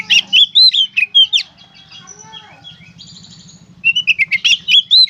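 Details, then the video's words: Kacer, the Oriental magpie-robin, in gacor konslet song meant to coax other kacer into singing: loud looping whistles and sharp chips, then a quieter pause with thin high tones before rapid clipped notes resume. "suara burung kacer gacor konslet"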